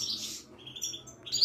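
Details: Caged wiidani European goldfinch from Morocco at a Casablanca market: a brief buzzy high flourish, then a soft sustained thin note and a sharp bright chirp at the end.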